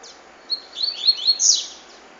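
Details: Double-collared seedeater song of the "cachoeira" type: a brief sharp opening note, then quick, high, slurred and buzzy notes running together into a loud, rapid ending.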